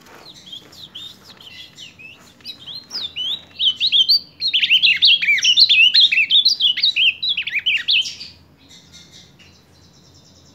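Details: July 2023 recording of an ultramarine grosbeak: soft scattered chirps build into a loud, hurried run of tumbling whistled notes lasting about four seconds, then quiet.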